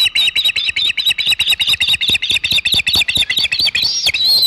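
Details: Osprey at the Hog Island nest on 27 August 2019, around 3:50 pm EDT, holding a big shad. It gives a fast, unbroken series of sharp, high whistled chirps, roughly two per second, with slight pitch wobble and a rising final note.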